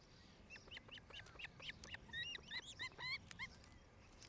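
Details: Osprey calling at a nest in Charlo, Montana, filmed by nest camera in July 2018: a quick, slightly uneven stream of bright, whistled, upturned chirps, growing louder toward the middle over low background rumble.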